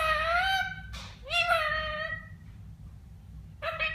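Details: A talking parrot from Kerala, India, giving two clear voice-like phrases with rich harmonics and a gliding pitch, a short breathy noise between them, then quiet before a final brief utterance.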